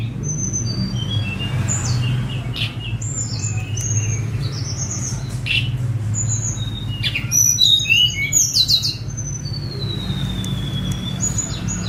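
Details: Sunda robin (tledekan gunung), a released bird, singing long phrases of high thin whistles and slurred notes, with a dense tumbling flurry midway, over a constant low rumble; phone recording.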